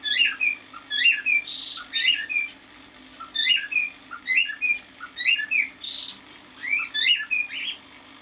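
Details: Song of a pet male cockatiel aged half a year: a phrase of rising then falling whistles repeated roughly every second and a half, with occasional breathy noise bursts between phrases in a quiet room.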